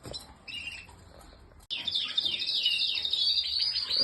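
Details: Red Spanish Timbrado canary singing; after a faint opening, a sustained rapid run of high metallic trilled notes with quick rolling repeats, loud and continuous to the end.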